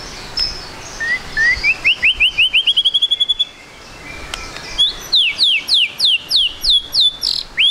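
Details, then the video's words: White-rumped shama trotol song as a lure to start birds singing quickly: a rapid accelerating series of rising whistles climbing in pitch, a short pause, then repeated sharply falling high whistled sweeps. "MURAI BATU GACOR, PANCINGAN MURAI BATU TROTOL AGAR CEPAT BUNYI"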